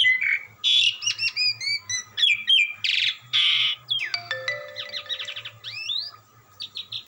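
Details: Asian pied starling, a gacoran bird, singing melodiously without stopping: quick run of clear rising and falling whistles mixed with harsh buzzy bursts and rapid trilled notes, with a steady faint hum beneath.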